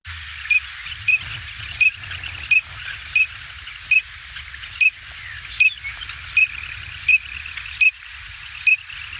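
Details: Green-winged (Eurasian) Teal, a Midwest/Illinois waterfowl, gives a tremolo-style whistle that could pass for a cricket or small frog: short, high, fluty notes, about thirteen in nine seconds at a steady pace, over constant hiss.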